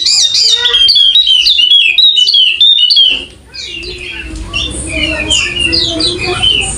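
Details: Wallacean white-eye of the golden-headed form from Sumbawa, NTB, in full persistent song. The song is fast, high twittering with quick repeated slurred notes, about three per second. After a brief dip it resumes over a low background hum and murmur.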